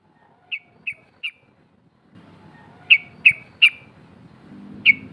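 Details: Sharp, clipped 'cok' notes from a female sooty-headed bulbul calling to draw out rivals, three evenly spaced notes, a pause, then four more over a faint low hum.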